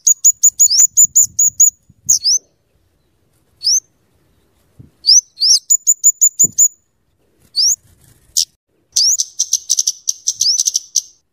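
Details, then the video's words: Scarlet-headed flowerpecker (cabe cabean) in active song, used for luring and tutoring. Rapid strings of high, tight ticks alternate with steeply rising squeaks in repeated bursts, ending in a fast, dense chatter. "suara burung kemade atau cabe cabean gacor cocok untuk pikat dan Masteran"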